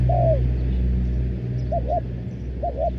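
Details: Spotted dove used as a decoy to call in wild doves in Thailand: one drawn-out downslurred coo followed by two short paired double coos, over a steady low hum from an engine or machinery.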